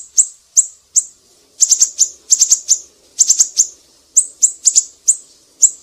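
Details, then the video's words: Siri-siri in a birdsong tutor recording: piercing high chips alternating between single notes and rapid rattled groups of three to four, with faint low rustling underneath. "Masteran burung siri-siri GACOR"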